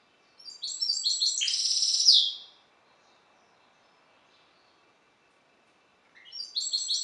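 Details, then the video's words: Song of a goldfinch hybrid bred from the Balkan subspecies C. c. balcanica: quick tinkling high trills ending in a rasping descending buzz, a long quiet pause, then a fresh burst of twittering. "Śpiew bastarda po C.c. Balcanika"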